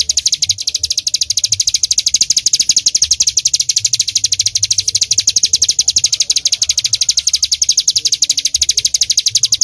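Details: Bar-winged prinia (ciblek gunung), a loud, lively singer in full 'tembakan' style, pours out nearly ten seconds of steady, evenly spaced high chips at a fast, continuous rate.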